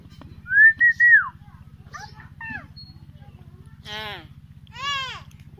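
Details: A pet myna mimics a girl's voice: a loud whistled phrase rising then falling, followed by several softer speech-like syllables and buzzy harmonic notes, over a steady low hum.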